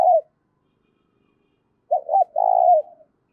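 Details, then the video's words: Spotted dove with a loud clear voice, calling to rouse decoys. A clipped ending note opens, followed by quiet. Then comes one full phrase: two short notes and a drawn-out purring coo that fades softly. "tiếng cu gáy kích bổi mỗi ngày giọng to rõ ít tạp âm"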